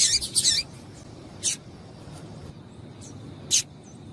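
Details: A female double-collared seedeater calls to excite the male: a quick jumble of high chips at the start, followed by two lone sharp chips about two seconds apart.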